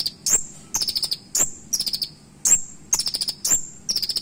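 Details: Kolibri ninja, a purple-throated sunbird, delivering sharp 'nembak' fill-in song used as a tutor recording: high piercing whistled notes each followed by a rapid stuttering run of tiny chirps, roughly one phrase per second, faint low hum behind.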